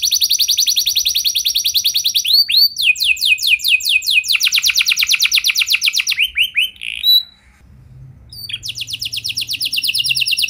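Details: Canary singing a long gacor song meant to spur other canaries: varied rapid trills and sweeping notes, a short pause with a low hum, then the fast trill returns.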